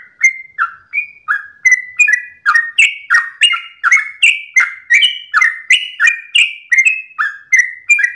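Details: In the dawn hour a sooty-headed bulbul pours out its long 'ropelan' song, a brisk unbroken stream of bubbly chirps rising and falling in pitch, around three per second.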